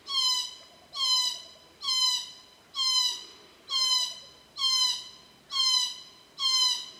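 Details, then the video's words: Glossy black cockatoos at their Cootharaba feeding ground on Casuarinas, June to September, late afternoon; a steady series of eight rasping, slightly descending calls, one roughly every 0.9 seconds. "Glossy Black Cockatoos at Cootharaba"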